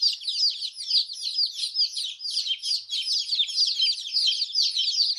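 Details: Newly hatched baby chickens with coloured down, calling as a group: rapid, high, slightly downslurred peeps crowd one another in a steady, lively chorus.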